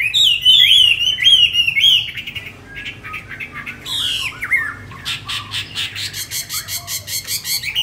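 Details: Newly arrived tame Chinese hwamei in a cage: strong wavering whistles for two seconds, a pause, then a burst of slurred notes and a rapid train of sharp repeated chips.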